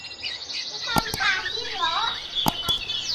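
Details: Male canary (Serinus canaria) in breeding condition, paired and ready to mate, singing a fast, continuous warble of rolling trills and swooping whistles, with a few sharp knocks or wing flaps in between.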